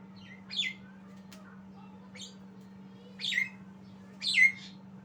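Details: Sparse squeaky chirps and harsh whistled notes from a young Javan myna learning to sing, several seconds of soft gaps between phrases, a low continuous hum underneath.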